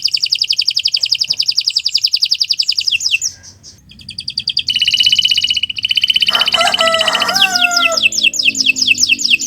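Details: Canary in full, long song used for training other birds: a high rapid trill, a short pause, a second buzzy trill, then varied descending whistled slides and fast sweeping notes.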